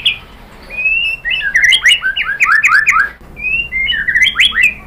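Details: White-rumped shama singing to provoke other birds: a drawn whistle leads into a tumbling cluster of slurred, twisting notes, then a quieter pause and another whistled phrase rising into jumbled warbles.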